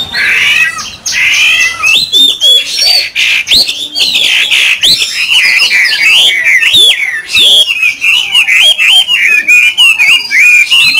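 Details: Long, fluent song from a caged Chinese hwamei: high slurred whistles, rapid repeated figures and tumbling warbles, delivered almost continuously for over ten seconds.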